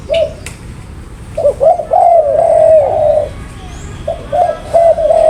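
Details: Spotted dove calling with low, smooth coos: a stuttered pair of notes, then a long, gently wavering drawn-out coo, a pause, and a few more short hoots at the end.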